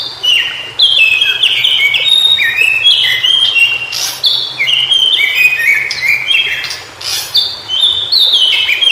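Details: In natural habitat, a White-browed shortwing pours out a long, rambling warble of quick whistled notes that step up and down in pitch. Brief pauses split it into bursts, and a few sharp clicks sound behind it.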